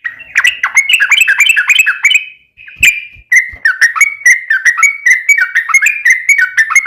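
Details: Yellow-vented bulbul pouring out a long, rapid song to prompt other bulbuls to answer: fast runs of bright, bubbly whistled chirps, a brief break with a sharp note, then another quick, steady run.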